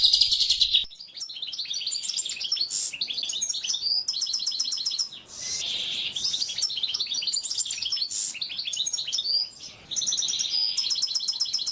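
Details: Oriental white-eye training song: continuous high, fast twittering with varied chirps, short trills and brief pauses throughout, clean and without other sounds.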